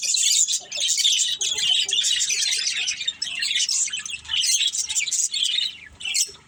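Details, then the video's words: Several pet budgerigars kept as a family chirp almost without pause in a dense, buzzy chatter of high twittering notes and harsh squawks, with brief dips between bursts. "Beautiful Budgies Chirping Sounds"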